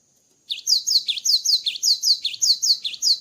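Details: Post-moult cinereous tit song: after a short quiet start, a steady run of ringing two-part whistles, a high descending note followed by a lower dip, repeated briskly to the end.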